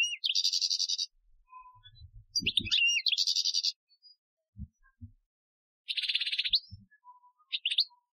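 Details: Goldfinch performing a 2015 Algerian training song: rattling high trills and twisting chirps in bursts separated by pauses, with a few low dull knocks in the background.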